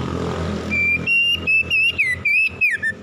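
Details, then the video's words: Morning song of a magpie-robin: after a rumble of engine noise, a sequence of about eight clear, bouncing whistles, the last ones slurring downward. "PEMULIHAN KACER SETRES DENGAN KICAUN PAGI CEPAT GACOR"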